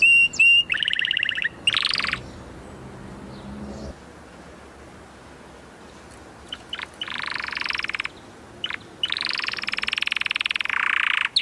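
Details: Canary singing in bursts: a pure whistle and buzzy trills, then long pauses with faint background hiss before dense, rattling buzzy rolls return.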